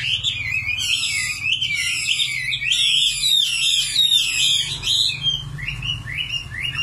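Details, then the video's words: Nightingale song in a fast run of bright, slurred whistles and trills that sweep up and down, then break into shorter separate notes near the end; a faint low hum persists. "Singing nightingale. amazing bird song"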